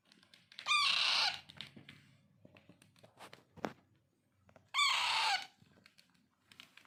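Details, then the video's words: Hand-fed Alexandrine parakeet chicks, known locally as raw or pahadi parrot, kept as pets, give two loud, harsh, raspy begging calls with falling tones, each about half a second long and about four seconds apart. Faint handling noises are heard between them. "Raw , Pahadi parrot Handfeeding"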